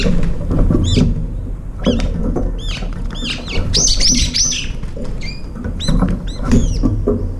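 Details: Brown-eared bulbuls feeding at a window-side feeder, a few birds gathering around the food bowl; a rough, loud squealing burst stands out midway among many short, hooked chirps, while pecking and tapping sounds continue underneath.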